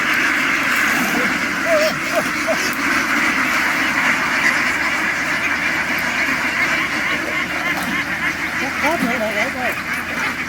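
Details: A farm flock of ducks running ashore and boarding a boat, making a noise like a swarm of bees: a steady dense buzzing hum of many birds with scattered nasal quacks and honks over a constant background roar.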